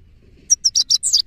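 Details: Male goldfinch (saira) singing: a quick series of six bright, high twittering notes in about a second, each a short sharp chirp, slightly buzzy toward the end, with a faint low hum underneath.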